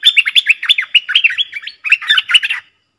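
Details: Streak-eared bulbul pair dueling fiercely in song, recorded 30 October 2021: rapid bubbly, chirping notes in quick runs, a brief pause, then another burst of chattering phrases.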